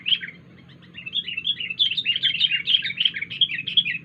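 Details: Wild sooty-headed bulbul making an unusual sound: a rapid, chattering series of bubbly, warbled notes rising and falling, repeated nearly three times a second, with a faint low hum beneath.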